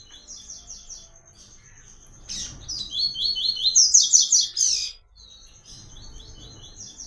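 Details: Double-collared seedeater in the Tui Tui song style for training young birds: light chirping phrases build into a loud, fast sequence of sharp trilled notes, then quieter chirps resume.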